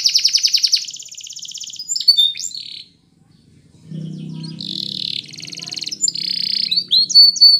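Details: Song of a Belgian canary, opening with a fast pulsed trill, then slurred whistled notes, a short gap of silence, and renewed bright trills and chirps against a soft low background hum.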